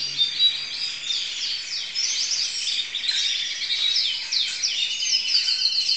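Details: Singing crested canary, a student bird, recorded in 2012: a rapid run of high chirped syllables and downslurred notes, flowing without pause in a busy, tumbling warble.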